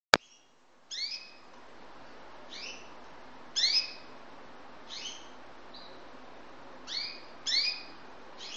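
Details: Yellow Syrian canary kept in Saudi Arabia giving single high, rising chirps about once every second or two, with a sharp click at the start and a steady hiss behind.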